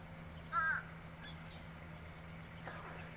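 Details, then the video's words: A fish crow, a species of New Jersey bayshores, marshes and beaches, gives a single short, nasal caw with a slightly wavering pitch, over a steady low hum. "Fish crow"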